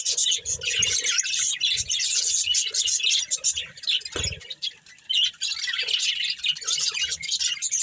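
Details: Chattering budgerigars, a pet breeding pair, keep up a long dense run of high scratchy twitters and squeaks, with one brief lull and a single low knock midway.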